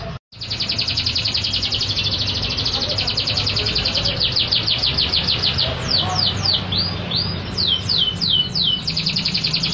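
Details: Canary singing loudly: a fast, high, steady trill of repeated notes that gives way to a series of sharply down-slurred whistles, with faint low background hum.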